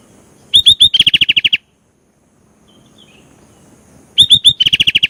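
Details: Sooty-headed bulbul in full song, used to provoke other birds: two bursts, each of three rising whistled notes followed by a rapid run of about nine to ten clipped chirps, separated by roughly two and a half seconds of silence.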